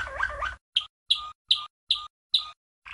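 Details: Waterslager canary, a 1997 champion, sings training song for young birds: a brief warbling roll followed by six clipped, bright notes with a lower steady undertone, evenly spaced, and a final soft fragment.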